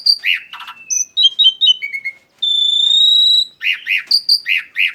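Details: Song of a black-winged starling, played as a lure: harsh arched chirps, a descending string of clear piping notes, a long steady high whistle lasting about a second, then renewed loud chirping.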